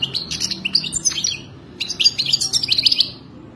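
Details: Mating song of a European goldfinch, played to teach a captive goldfinch to sing: two rapid bursts of high, liquid twitters and short buzzy trills separated by a brief pause, over a faint low hum.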